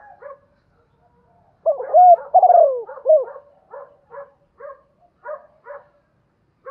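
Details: Soft clipped notes come before and after one loud three-part coo from a spotted dove calling and challenging in the Thổ pha đồng voice: level, long falling, then short rising-falling.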